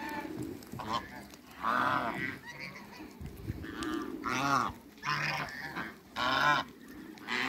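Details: Loud, rasping quack bursts from a flock of mallard, runner and Pekin ducks meeting on a Greek farm at Skydra, separated by short pauses, with softer lower calls from other birds between them.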